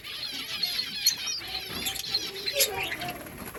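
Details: Many lovebirds chattering together in a breeding colony, overlapping high chirps and squeaky twitters with occasional louder sharp notes and some rustling below.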